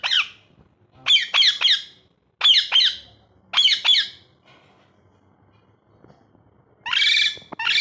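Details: Shrill, harsh squawks from a pet ringneck parrot, delivered in quick bursts of two or three notes with short pauses between, then a longer rasping burst near the end.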